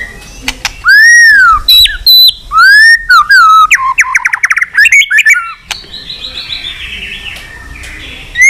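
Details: White-rumped shama giving a long song meant to provoke fighting, with tail snapping. Loud, clear whistled phrases arch up and down, then rapid rattling trills, ending in softer, high twittering notes.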